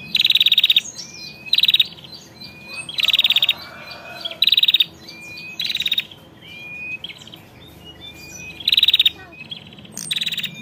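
A female bar-winged prinia gives loud, dry, rattling bursts about every two seconds, with thin rising whistles from other birds behind.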